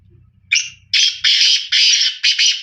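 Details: Black francolin calling loudly, a harsh, grating series of four or five rasping bursts, each about a third of a second long, given in quick succession after a short opening note, with faint low rumbling at the start.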